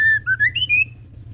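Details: Female White-rumped shama calling to provoke male birds into song: four or five loud, clear whistled notes in quick succession, stepping up and down in pitch over under a second, over a low background hum.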